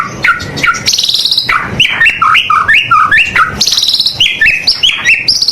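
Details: Full, varied song of a persistently singing white-rumped shama, used to stimulate other birds: rising and falling whistled phrases, stepped two-note figures, and high buzzy rapid trills between them.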